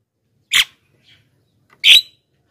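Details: Javan myna lure sound for wild birds and lazy captive singers: two loud, rasping, buzzy squawks about 1.3 seconds apart, with faint soft notes between.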